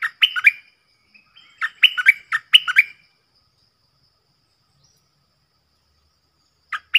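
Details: Captive stripe-throated bulbul decoy bird singing loud, clear song used to train young birds and lure wild ones: bursts of rich warbled notes repeated in quick phrases for three seconds, then a pause before another brief phrase.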